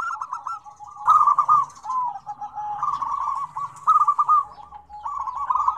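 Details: Combined zebra dove calls, noisy and busy, meant to set off doves that rarely call. Staccato rolling coos repeat in overlapping phrases, with louder bursts starting at about one second and again near four seconds.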